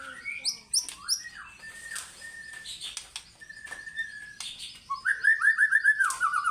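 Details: White-rumped shama singing fighter-style, mixing sharp high clicks and chips with steady whistled tones, then a rapid run of rising trilled notes near the end.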